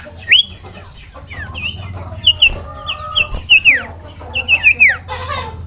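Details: Common iora song, a recording used for training other songbirds: sharp whistled notes, some rising and some falling, given in quick bursts, with a steady low hum underneath and a short rush of noise at the end.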